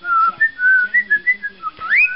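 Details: Male pet parrot whistling part of "Pop Goes the Weasel": a clear melodic line of steady whistled tones stepping up and down, closing with a rising slurred whistle.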